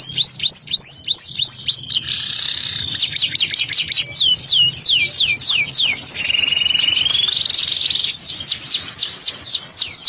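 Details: Canary singing nonstop with ornate variation: rapid descending whistled slurs, a harsh buzzy stretch, a long rolling trill and a sliding whistle, then more quick downward sweeps. Low music hums in the background.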